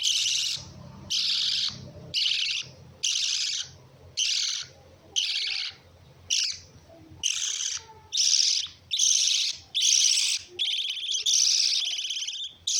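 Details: Lovebirds giving a long run of shrill, raspy chattering bursts, about one per second, steady and loud, with a faint low hum early on.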